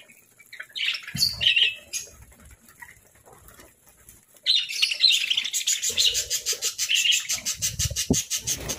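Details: Parakeets kept as pets during a morning meal of fruit and seeds: a short burst of chirps early on, a quiet spell, then renewed chirping joined by fast, even wingbeats in the last three seconds.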